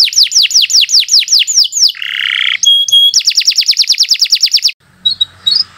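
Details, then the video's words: Canary song for tutoring young birds: a run of rapid down-slurred chirps, a harsh buzzy burst, a brief whistle, another fast chirp series, then a few faint scattered notes. "Kicau Burung Kenari 101 II GACOR PANJANG Cocok untuk Masteran"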